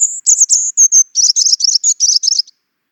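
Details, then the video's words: Very high, thin European robin song: a drawn-out whistled note, then a stuttering series of rapid shimmering trills repeated about ten times over two and a half seconds. "European Robin - Songs"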